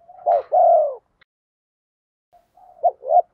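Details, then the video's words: Spotted dove lure singing the 'thổ pha' voice, its rapid 'thúc gù' cooing used to make wild birds coo back. One strong short-long coo phrase, then a pause and a softer murmured start of another double coo. "chim cu gáy mồi giọng thổ pha thúc gù như máy khâu, bổi nghe ức chế gáy theo, mở là gáy"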